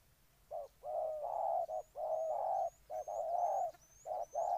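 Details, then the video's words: Cooing spotted dove in Ninh Thuận, Vietnam, giving a brief note then drawn-out mellow coos in close succession, while small birds add faint high rising chirps in the background. "Cu gáy Ninh Thuận"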